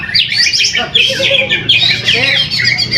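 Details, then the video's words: Greater green leafbird, a caged contest bird at a weekly practice competition in Trowulan, Mojokerto, winning first place; harsh squawky notes mixed with quick high twittering and some lower sounds behind. "AKSI PENAMPILAN EPIK BURUNG CUCAK HIJAU"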